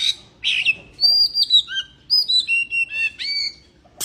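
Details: White-rumped shama in breeding condition singing: a varied run of clear whistled notes, some rising and falling, mixed with buzzy bursts and short sweeps, phrases spaced by brief pauses.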